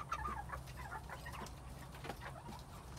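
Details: Spring 2021 quails uttering quick, soft chirps and twittering notes in a rapid cluster at the start, then scattered single chirps, with sharp clicks and a constant low background hum.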